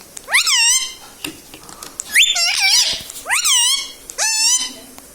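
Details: Talking pet parrot, presented as saying "mummy papa", gives four loud, strained voiced phrases about a second apart, each rising sharply and then wavering down, with quiet room tone in the gaps.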